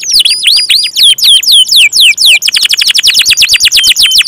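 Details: Gacor canary song, loud and continuous: a phrase of slower descending whistled swoops, then a faster, denser trill of short downward notes packed closely together.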